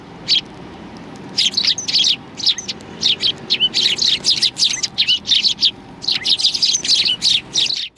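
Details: Sparrows gather for food at a Tenmangu shrine in mid-January 2020. After a brief lull, crowded high-pitched chirps and twitters pour out in fast, irregular runs, ending abruptly.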